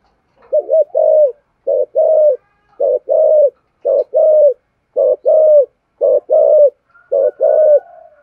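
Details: Spotted dove cooing: seven evenly spaced two-part phrases, a brief note then a longer falling coo, repeated roughly once a second in a quiet setting.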